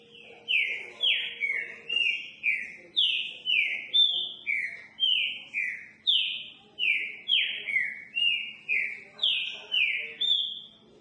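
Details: Long run of roughly twenty loud whistled notes by a note-repeating trinca-ferro (green-winged saltator), each a quick downward slur, steady rhythm with pitches alternating high and low; a low hum fades out early.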